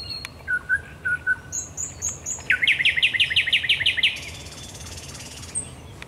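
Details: Common nightingale singing at night at the Raszyn Ponds on 10 May 2021: a few soft low whistles, a run of high piping notes, then a fast series of about ten loud, clipped rising notes.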